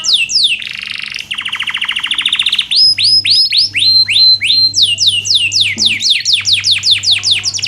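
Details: Canary singing nonstop, used as a tutor for lazy singers: a buzzy rolling trill, then loud clear whistles and rapid chains of down-slurred notes at about four per second; low steady hum behind.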